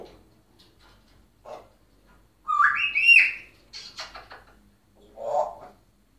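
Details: Caged African grey parrot in Egypt, known for talking in a deep man's voice, here giving a loud rising whistle, a short burst of harsh chattering notes, then a lower hoarse call, in a small room.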